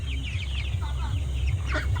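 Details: A flock of farm chicks about one month old and around 500 g apiece: rapid clusters of thin descending peeps, several birds calling at once, with a constant deep droning hum and faint voices beneath.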